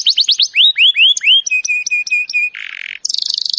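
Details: Canary training song used as a trigger for a canary that won't sing: quick rising sweeps, clear repeated whistled notes, a harsh buzzy burst, and a high rapid trill.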